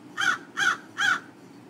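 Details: Crow giving three harsh, raspy caws spaced about half a second apart, each short and even in pitch, with a faint background hiss.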